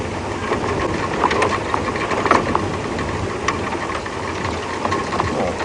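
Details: A vehicle engine idles and knocks on an evening safari drive, with scattered clicks and rattles and no animal voice.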